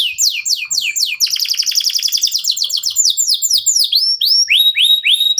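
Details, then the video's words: Local canary singing nonstop as a prompt to set other birds singing: repeated upward-sweeping whistles, a long rapid buzzy trill, then clear rising slurred notes repeated in quick series. "KENARI LOKAL GACOR TOTAL, SEMUA IKUTAN BUNYI..PANCINGAN AMPUH BIKIN CEPAT GACOR"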